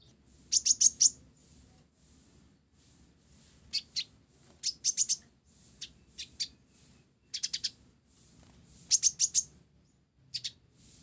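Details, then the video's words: Rapid, steady high chirping from an olive-backed sunbird of the blorok type, singing hard with a sparrow-style fill: repeated runs of three to five sharp notes, almost continuous over eleven seconds. "Kolibri Ninja Blorok Gacor isian Gereja"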